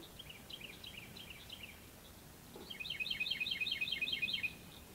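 Two Carolina Wrens trade rapid, rolling phrases of repeated bright whistled notes, one fainter then a louder burst answering, with a cricket frog faintly in the background.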